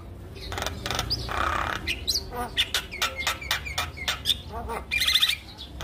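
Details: Javan myna singing to get quiet mynas to start singing: rapid clicks and chattering squawks mixed with brief upward whistles and a harsh buzzy burst near the end.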